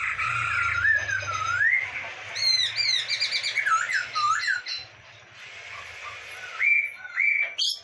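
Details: Masked laughingthrush singing constantly on an Indonesian tutor recording: wavering whistles over a low hum, a burst of high, steeply rising notes, then downslurred phrases and clear steady whistles.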